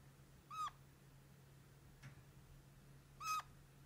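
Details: Caged red-crowned parakeet giving two brief plaintive squeaks, kitten-like and downward-slurred, nearly three seconds apart, with a faint click between and a constant low electrical hum.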